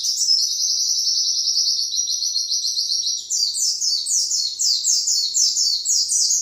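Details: White-eye giving a long 'nembak panjang' song, used as a master recording to train groups of birds: an unbroken high, fast twittering trill, steady at first, then breaking into rapid repeated rising-falling high notes, with no pause throughout.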